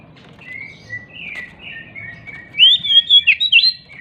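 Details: Agitated, jumping Oriental magpie-robin whose song serves as a lure to coax silent magpie-robins into singing. Gentle, sliding whistles build into a loud, rapid series of rich, warbling whistled bursts about five times a second.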